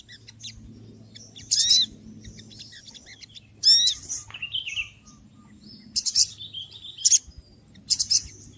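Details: Small noisy birds calling: scattered high, harsh chattering bursts and thin rising chirps, loud bursts near 1.5, 4, 6, 7 and 8 seconds, with soft faint twitters and a low hum underneath.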